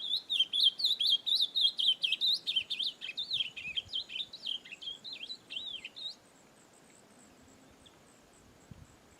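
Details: Ultramarine grosbeak singing at length in nature, a long run of sweet, wavering whistled notes repeated about twice a second for six seconds, fading toward the end, then quiet outdoor background.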